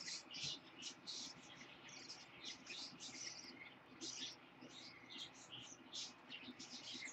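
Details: Pet lutino parakeet baby, hatched 26 October 2015, chattering in a rapid string of short scratchy chirps over steady indoor background noise.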